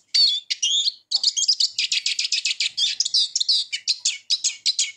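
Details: Eurasian siskin in rapid song, a continuous high twittering of short chirps and squeaky rising notes, delivered almost without pause at about five notes per second.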